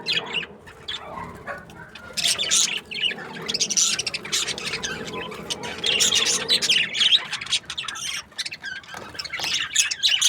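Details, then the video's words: Budgerigars in breeding pairs, a chattering flock of many birds giving dense, scratchy high chirps and squawks that come in overlapping bursts, with brief quieter gaps between louder surges. "Budgies parrot chirping sounds | breeding pairs"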